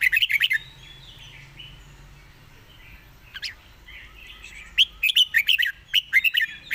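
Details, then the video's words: Red-whiskered bulbul singing a rapid, fast-beak style song: clusters of sharp, bubbling whistled notes in quick bursts at the start and end, with softer warbles between and a quiet hum underneath. "สายเพลงโซนห้ามพลาด"ทีเด็ดเพลงโซนปากไว เพลงรัวๆ"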